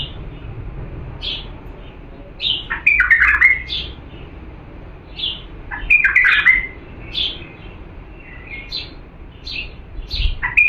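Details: Diyala bulbul, a pure strain, singing for tutoring young birds: bright rising whistled notes scattered between three louder, rich warbled phrases spaced about three seconds apart.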